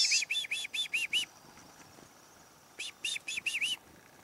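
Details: In the morning of 2008, a chickadee visiting a hunting tree stand gives two quick bursts of harsh, buzzy "dee" notes, six and then five, each run lasting about a second. The background is quiet.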